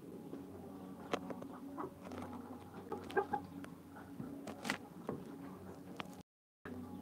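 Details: Hens clucking in a flock, with short low clucks and scattered sharp clicks and taps over a steady murmur of background noise, followed by a brief gap of silence near the end.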